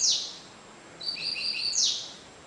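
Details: Cigano-style song of a double-collared seedeater, Sporophila caerulescens, averaging 30 songs per minute: a sharp high sweep, then level thin whistled notes stepping between two pitches, ending in a loud down-slurred sweep.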